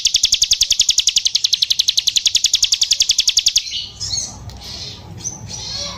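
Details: Bar-winged prinia (ciblek sawah) singing hard: a rapid, regular train of piercing high notes for over three seconds, followed by quieter scattered squeaks and rustling chatter.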